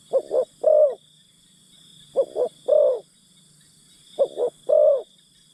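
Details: Three evenly spaced cooing phrases from a decoy spotted dove luring wild birds. Each phrase has two short mellow notes followed by a longer rounded coo, over a steady faint hiss.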